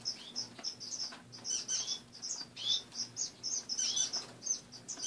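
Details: Caged finches at home in the morning: dense high-pitched peeping and chirping from several birds, notes in quick rhythmic runs over a faint low hum.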